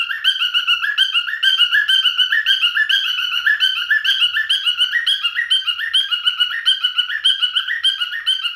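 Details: Male cockatiel parrot singing indoors, steady chattering whistles rising and falling in short looped phrases, roughly two notes each second, clear and uninterrupted.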